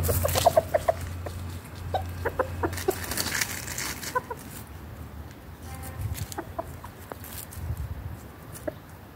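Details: Garden chickens and roosters chatter in daily life: quick runs of short clucks, busiest in the first seconds, then sparser single clucks over a low background hum.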